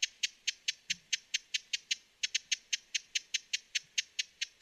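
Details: Dry, ticking chip calls of a broad-billed hummingbird in western North America, repeated quickly and steadily with a short hitch partway through.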